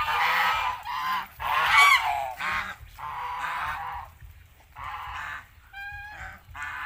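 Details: A flock of geese raised on a farm in Asia calling repeatedly, loud rough nasal honks roughly every second and a half, some overlapping, with brief pauses and one clearer tonal honk near the end.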